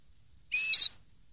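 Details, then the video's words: A single bright whistled phrase from a common linnet, steady and then slightly falling, from a 2013 recording for teaching young linnets to sing. "cd educar pardillos noveles 2013"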